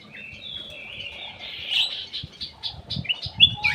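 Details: Aviary golden bulbul (kutilang emas) lure song: a drawn-out warbled whistle flows into a run of short bright notes and a sharp upslurred whistle, with low knocking sounds underneath.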